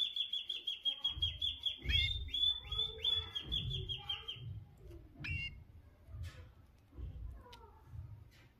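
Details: A pair of white canaries, a female and a male. One gives fast, bright, whistled trills in rapid repeated notes, then shorter chirps, over soft low thumping sounds.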